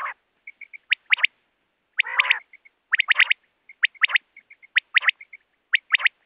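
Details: Common quail, recorded as a hunting lure: a rapid three-note whip-like phrase of sharp high notes, repeated about once a second, with soft pips between phrases and one lower nasal growl.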